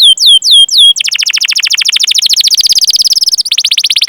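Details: Canary song for training young canaries: a few looping chirps, then a long, very fast, dense trill of high notes with a brief break near the end.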